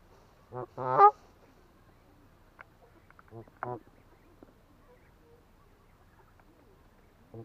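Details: Atlantic Canada goose, a waterfowl of the duck family known for deep honking heard at long range; two loud harsh honks near the start, then a few fainter honks later over a quiet background.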